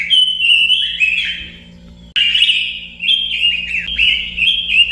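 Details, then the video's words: Robin delivering loud, ringing whistled phrases, each note dipping in pitch, in two rapid bursts split by a brief quiet gap around two seconds; faint low hum. "kicau burung robin"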